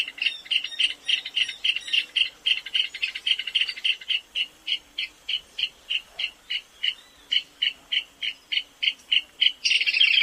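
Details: Shy, plump little rail of South American dry scrub and savanna singing a clicking, tinkling trill; notes come fast and bunched at first, then slow and stutter with small gaps before a louder burst at the end.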